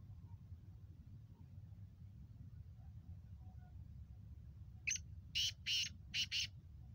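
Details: After about five seconds of low background hum, a Kala Teetar (black francolin), speeder Sheedi cross voice, bursts into a harsh call: one short note, then two rasping notes and a tight final pair.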